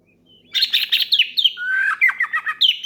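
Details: Energetic oriental magpie-robin song aimed at a rival: a quick string of harsh chattering notes running into slurred descending whistles and more staccato notes.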